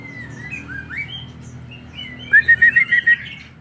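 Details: An aviary-kept white-rumped shama sings soft, varied whistled phrases, then a quick run of about six loud, sharp, even notes; the room sounds quiet around it.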